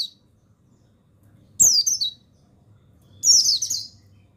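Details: Captive-style mountain white-eye, buxtoni male, in a recording meant to stir other birds into song: two sharp, high, down-slurred twittering bursts about one and a half seconds apart, over quiet background hum.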